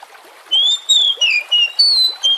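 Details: Oriental magpie-robin song used as a lure to get other magpie-robins singing: six clear, high whistled phrases in quick succession, each sliding slightly up or down, separated by brief gaps, over a quiet background.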